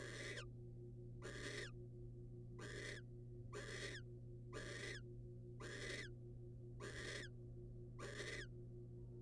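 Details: A wild male barn owl delivers a rodent to the female. Rasping, breathy screeches of about half a second come in a regular series near one per second, with a constant low hum underneath.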